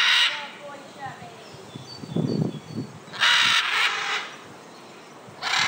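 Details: Scarlet macaws flying at a bird park in Hayle, Cornwall: loud, harsh, raucous squawks in bursts at the start, in the middle for about a second, and again at the end, with murmuring people and low rumbling between.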